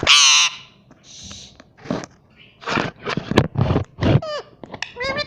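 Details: Pet green parrot talking indoors, a loud harsh screech followed by a series of voiced speech-like syllables and short upward-sweeping whistled notes.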